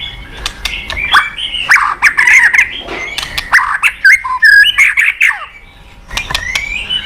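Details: White-rumped shama song for coaxing a reluctant caged bird: varied whistled notes mixed with harsh chips and rasping bursts, delivered in a steady stream before a quieter pause and a final rising whistle.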